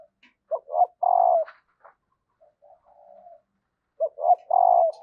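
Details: Female spotted dove call used to prompt cooing from males: two three-part phrases of short clipped notes and a drawn-out low hoot, separated by quiet murmured notes, with a few faint clicks.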